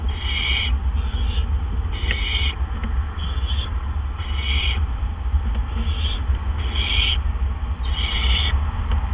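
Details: At a Barn owl nest, 8 PM on April 17 2013, two adults bring gophers in quick succession; rasping hissed bursts repeat roughly every second in a rapid series, with constant low-frequency rumble underneath.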